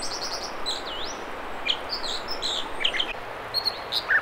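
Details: Near Squamish, British Columbia, an American dipper sings in the Mamquam River spawning channels. It gives a quick high trill, then a deep swooping whistle, followed by short piping notes and chips against a steady hiss.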